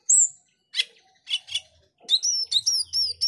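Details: Male Asian glossy starling singing actively, composing its song: a high downward whistle, then raspy chattering notes, then a run of metallic whistles dipping and rising, closing with quick bright chips.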